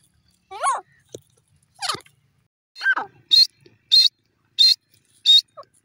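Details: Grey francolin producing three descending, wavering squealed notes, then four evenly spaced bright, buzzy bursts at a higher pitch, roughly every half-second.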